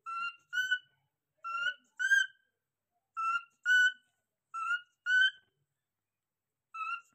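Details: Cockatiel alarm calls from a pet bird: paired, ringing whistled notes with strong overtones, four pairs about one and a half seconds apart, then a single note, otherwise silent.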